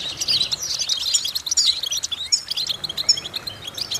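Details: Goldfinch song meant as vocal training to stimulate other goldfinches: bright, fast, tinkling twitter of high chirps and brief warbled phrases, delivered in quick bursts with tiny pauses between them.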